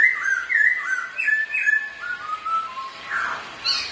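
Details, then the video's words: Two black-throated laughingthrushes singing against each other while displaying, in rich, fluty whistled phrases that slur up and down, overlapping in quick succession, with a brief harsher burst near the end. "2 Khướu Thi Nhau Hót"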